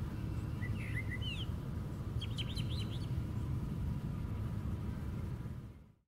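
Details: Brown thrasher singing from the very top of a white pine tree: brief bursts of clear, slurred whistled notes, some rising, in two short phrases, over a steady low rumble of distant traffic-like noise.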